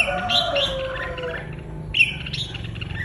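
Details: Red-whiskered bulbul singing excitedly, giving short bright whistled notes around 0.3 to 0.7 seconds, then a sharp rising note near two seconds, over a low background rumble.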